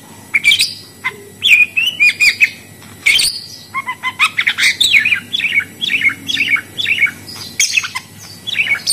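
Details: Budgerigar warbling steadily, a fast string of short squeaky and chirping notes that rise and fall in pitch.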